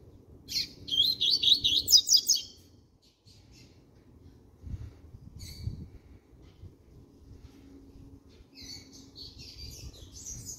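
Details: Double-collared seedeater six months old, starting to sing, gives a two-second high phrase of quick repeated notes, with a faint further twittering near the end and low background noise.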